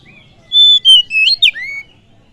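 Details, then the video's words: Oriental magpie-robin (kacer) singing to provoke other birds: a short phrase of a few pure whistles, a long level note, a dipping note, then a sharp downward slur into a rising whistle. "Pancingan kacer full durasi"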